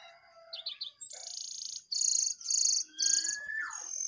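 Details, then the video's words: Jongkangan, one wild bird against two caged birds, singing vigorously at each other. First, high whistled notes with quick rising-falling trills. Then loud, harsh, buzzy high bursts repeat about twice a second, and a long slurred whistle drops sharply near the end. "jongangan gacor 1 Liar Vs 2 Sangkar"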